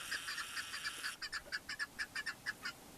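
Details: Chukar partridge (keklik) in the Pamir mountains of Tajikistan, 2021: a fast series of clipped, rhythmic chuck notes, about two per second after an initial denser burst, each note sharp with ringing harmonics over a quiet background.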